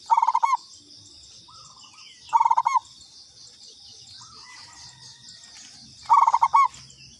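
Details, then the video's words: Local zebra dove calling as a lure: three bursts of rapid, soft cooing notes, each ending in a longer note. Quieter short calls and a constant high hiss fill the gaps. "Pancingan Perkutut lokal katuranggan"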